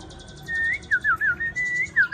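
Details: Tame Chinese hwamei described as having a gentle, pleasing voice, giving clean whistled notes that slur up and down in short, evenly spaced phrases.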